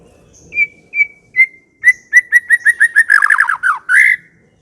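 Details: White-rumped shama song beginning with spaced clear whistled notes, speeding into a rapid run of repeated whistles and ending in a buzzy trill.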